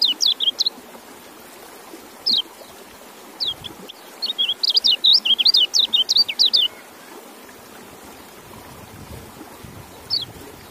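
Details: A white-eye opens with a few bright chirps, then pours out a rapid jumble of high, wavering, slurred notes for about two seconds before a lone chirp near the end.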